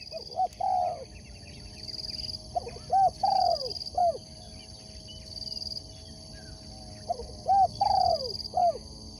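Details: Song of a competition sport dove, a Spotted dove: hollow, rounded coos grouped into phrases of about four notes, the third drawn out and wavering, phrases repeated with gaps of a second or two. A steady high insect-like buzz pulses in the background.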